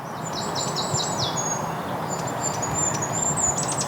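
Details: Goldcrest above in a neighbourhood in Hampshire, UK, in spring, calling out and possibly displaying: a run of very high thin descending notes repeated rapidly, then faint high thin notes, over steady low traffic-like rumble.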